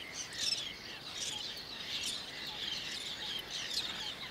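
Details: Whiskered tern recorded in Toledo province, Spain, in June 2022: short harsh calls high in pitch, repeated at irregular intervals over a soft background hiss, with several overlapping birds.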